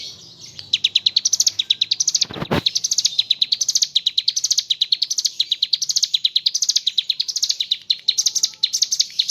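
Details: Mountain leaf warbler (ciblek gunung) singing in the lively 'gacor ngebren' style with kapas tembak fill: fast, high, sharply repeated chirping notes in steady bursts, broken once by a brief loud thump near the start.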